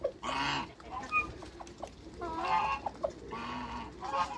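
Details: A group of six African and Toulouse geese on a farm give repeated raspy honks, four or five harsh bursts across a few seconds, with short chattering notes in the gaps.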